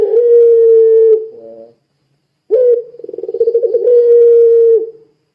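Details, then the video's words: Calling Barbary dove (puter pelung), used to draw other doves into calling: sustained level coo, a reedy lower tail, a pause, then a sharp rising note, rapid throbbing roll and a second long steady coo. "Suara Burung Puter Pelung Gacor Sangat Ampuh Menjadikan Puter Lain Ikut Bunyi"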